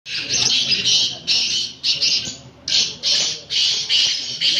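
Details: Black francolin in a calling contest: loud harsh grating bursts, each about half a second, repeated in quick succession with brief gaps.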